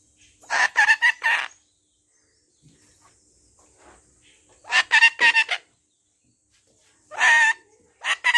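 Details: Pet parrot swearing: bursts of harsh, speech-like squawked syllables in groups of three or four, separated by pauses of a few seconds.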